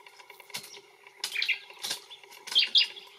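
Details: Brown honeyeater (Lichmera indistincta) in Australia calling: a few scattered short sharp chirps and bright squeaky notes separated by pauses, with some soft rustling.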